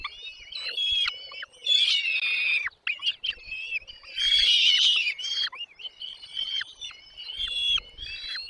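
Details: Begging from nest chicks fed by both parent birds: continuous shrill, rasping cries and thin whistles, swelling into two loud noisy bursts, with brief pauses between call groups.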